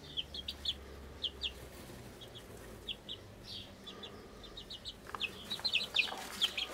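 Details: Young golden pheasant chicks kept in a brooder with a two-month-old Mille Fleur chick, recorded June 2010: bursts of thin, sharp high peeps in quick pairs and runs, busiest near the end, over faint low hum.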